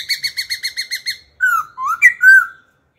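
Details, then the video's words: Old wild laughingthrush singing in forest style, constantly switching phrases to stimulate and train young birds: a steady series of seven clipped, evenly spaced notes, then fluid whistled slurs rising and falling. "Khướu già rừng hót giọng rừng, đảo giọng liên tục kích bổi hót, tập chim non"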